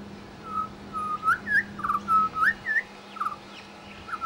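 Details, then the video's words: Australian pied butcherbird in suburban Brisbane, mimicking local sounds while singing: clear, fluty whistled notes, some level and some sharply rising or falling, spaced unevenly, over a steady low electrical hum. "AMAZING Pied Butcherbird mimicry"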